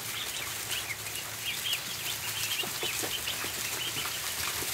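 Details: Ducklings in a barn at feeding time, with high chirping peeps clustering mid-clip into quick wavering runs over constant rustle and click sounds.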